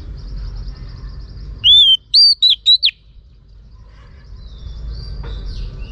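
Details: Female Oriental magpie-robin calling to stir males: a single bright phrase of a long arched whistle and four rapid slurred whistles, followed by several seconds of soft background hum and a faint distant chirp.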